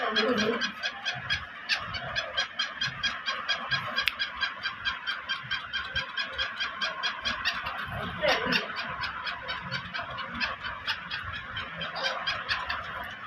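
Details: Captive Black Sindhi teetar, or black francolin, giving a long run of grating, rhythmic notes about twice per second that vary slightly in loudness. A few lower sounds can be heard briefly underneath.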